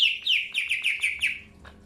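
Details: Greater green leafbird in captivity, early pairing: a fast series of seven bright descending whistles, roughly five per second, fading to a soft click at the end.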